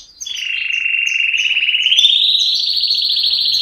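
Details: Canary song with a long rolling trill that rises slowly in pitch over several seconds, steady and loud, with faint high chirps above it.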